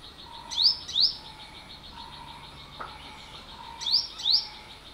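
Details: Olive-backed sunbird calling: two pairs of sharp, high, rising notes, each pair quickly doubled, about three seconds apart, over a faint steady background of soft tones and chirring.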